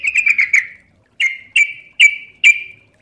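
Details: Yellow-vented bulbul (trucukan) in energetic, rapid song: a quick stuttering run of five chirps, a pause, then four evenly spaced, sharp notes that each trail off downward.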